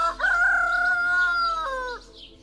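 A rooster gives one long, loud crow, opening with a quick rise, holding a steady harsh note, then dropping away at the end.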